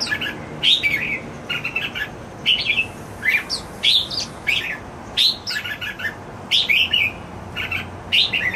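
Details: Red-whiskered bulbul kept as a pet, called jambul, sings cheerfully: lively chattering phrases of sharp chirps and swooping whistles repeat in rapid uneven succession, with a soft hum underneath.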